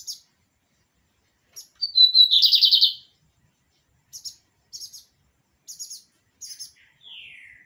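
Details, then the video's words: Pirata lined seedeater in song: a short whistle leads into a loud rasping trill of quick repeated notes, then evenly spaced high double chips and a final descending buzzy slur. "BIGODINHO PIRATA DO NOSSO AMIGO ALLISON CANTANDO MUITO BONITO SEMPRE DANDO UM SHOW DE MELODIA!"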